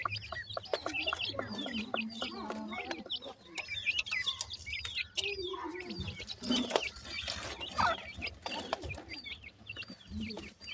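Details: A brood of black francolin chicks peeps in a thick, continuous chatter of high slurred notes, with some lower warbled sounds, clattering noises and background hum.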